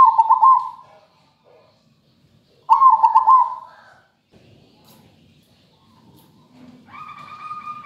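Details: A lively zebra dove, recorded as a lure to prompt other birds to sing, gives two bursts of soft, rolling, fluttery coos a few seconds apart, then a steadier held note, over faint background rumble.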